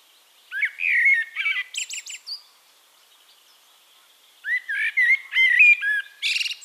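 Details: Eurasian blackbird in song at Castricum, the Netherlands: a low, melodious whistled phrase closing in a scratchy high twitter, a silent gap of about two seconds, then another fluted phrase with a squeaky ending.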